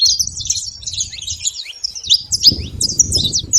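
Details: A crowd of saffron finches gathered at a feeder produce a busy stream of sharp, high chirps and quick down-slurred notes, several birds calling over one another, with soft low background noise.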